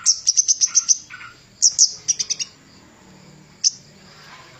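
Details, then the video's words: Javan cochoa singing loudly as a training master; a fast string of high, sharp chirps, then scattered short bursts and single piercing notes over a quiet low hum. "Burung Kemade Gunung master handal untuk pikat suaranya lebih keras"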